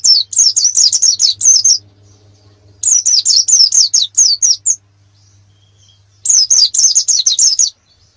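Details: Canary singing a competition master song: three bursts of rapid, slurred chirping notes, each lasting about one and a half seconds, separated by pauses of over a second, with a faint low hum between.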